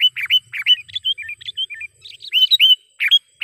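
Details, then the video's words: Lively lure call of a sooty-headed bulbul for trapping: loud, rounded whistled notes bending down then up, given in quick succession, with brief buzzy chirps mixed in. "suara BURUNG KUTILANG PIKAT gacor / pikat kutilang gacor dengan suara panggilan kutilang gacor"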